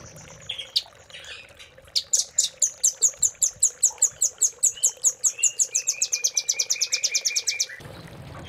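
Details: Velvet-fronted nuthatch master song for caged-bird training, 'cililin' filling style. A long, rapid run of piercing high notes speeds up over six seconds, while softer, lower whistled notes from another bird sound beneath it.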